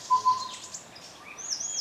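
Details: Striated bulbul (Alcurus striatus, subspecies paulus) on the 1,000-year-old tea trail, Yunnan, China, 29 April 2015, giving two short, even, mid-pitched notes in quick succession, then fainter higher chirps over a steady high hiss of forest insects.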